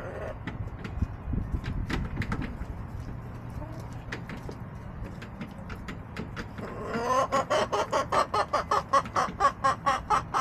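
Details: Backyard chickens recorded on April 23, 2024: sharp scattered tapping clicks for about seven seconds, then a fast run of harmonic, nasal clucks, roughly five to six per second, growing louder to the end over a low rumble.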